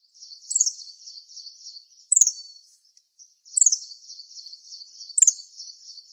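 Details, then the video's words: A bird gives thin, very high, buzzy trills, each opening with a sharp, descending squeak. The trills repeat in long runs with short breaks, and soft clicks are audible. "Sounds of the bird"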